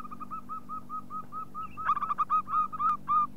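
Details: Local zebra dove calling to draw other doves: a regular string of soft, rounded hoots that speeds into a louder bubbling staccato flurry, with a faint low hum behind.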